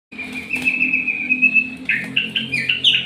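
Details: White-rumped shama singing in a bowing posture: a long, steady, high whistled note, then a run of short, slightly rising whistles and chips, over a low background hum.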